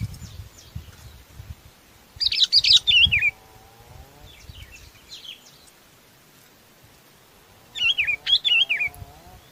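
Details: Sooty-headed bulbul calling the flock: two bursts of quick, descending, wavering whistled notes several seconds apart, with faint low background hum.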